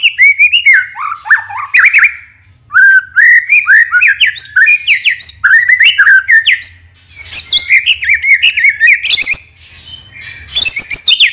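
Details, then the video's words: Murai batu, the white-rumped shama, delivering a lure song to stir other birds into singing: long, rich sequences of sweeping whistles, rapid trills and chattering notes, almost continuous with only brief pauses. "PANCINGAN MURAI BATU NEMBAK ISIAN INI | SHAMA BIRD"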